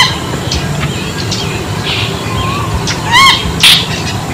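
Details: Bronze-winged jacana calls once, a brief nasal, wavering note rich in overtones, with a sharp high chirp just after it, set against constant low rumbling and scattered faint chirps.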